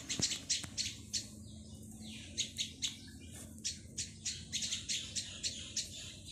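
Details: Plaintive cuckoo (Cacomantis merulinus), begging call: chick begging for food.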